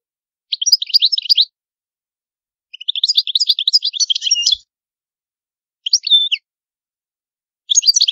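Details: European goldfinch performing the antique Palermo Sicilian song, a recording meant for tutoring: long jangling, buzzy twittered phrases separated by short pauses, including a drawn-out tinkling run, clean and noise-free.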